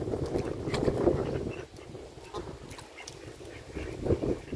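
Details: Domestic ducks calling and playing while foraging in a river, giving a series of short, nasal quacks, loudest near the start and again near the end, over steady low rumbling background noise.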